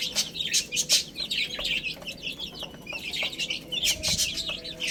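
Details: Baby chickens eating spinach give a busy chorus of high, short peeps, many overlapping and rising-falling, with sharp clicks from pecking scattered throughout.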